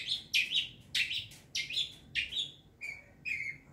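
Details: Young wild long-tailed shrike, used as a lure, giving loud scratchy downslurred phrases about every 0.6 seconds, then softer, thinner whistled notes near the end, over a low hum.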